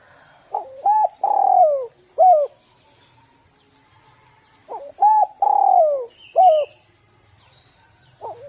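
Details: Spotted dove lure call for young birds, with two full cooing phrases about four seconds apart, each a stepped opening, a long descending coo and a short falling note. Faint high chirps of another bird are heard.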